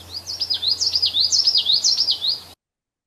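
Common Yellowthroat singing a fast, rolling witchety-witchety-witchety, high bright phrases repeated about twice a second, with a faint low hum underneath.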